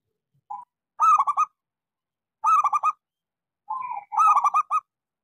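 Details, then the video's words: Lively local zebra dove with a small voice, played to get quiet doves singing. Three cooing phrases, each a quick run of soft, stuttering notes, come roughly every one and a half seconds. Two phrases start with a brief lead-in coo. "Suara pancingan Perkutut lokal gacor suara kecil"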